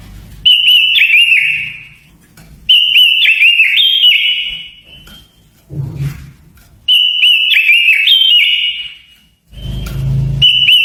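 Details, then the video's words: Japanese white-eye lure song for provoking wild birds. Three long, high warbled phrases of fast twittering notes are broken by pauses, with low thumps and handling noise between them. "Tiếng chim quế lâm mồi kích bổi . Luyện giọng quế lâm hót hay"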